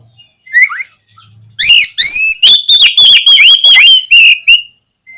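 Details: White-rumped shama song meant to provoke other shamas into singing: a downslurred whistle, then a loud rapid run of repeated sweeping notes over a sustained high whistled tone, ending abruptly.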